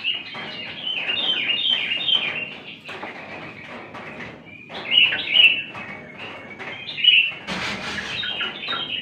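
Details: Yellow-vented bulbul in full voice: bursts of chattering, warbled phrases, then a pause and a few louder slurred notes, over a steady rustling background noise.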